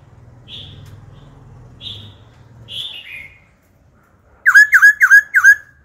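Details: Old wild-caught laughingthrush singing switching wild phrases to stimulate young birds: scattered soft high buzzy notes over a low hum, then a burst of four loud looping whistles in quick succession.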